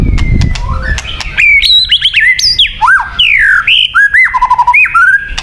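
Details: White-rumped shama song, a recording meant for luring birds: loud clear whistled notes sliding up and down, sharp upswept phrases and a run of short level notes near the end, after a quiet opening with low rumble.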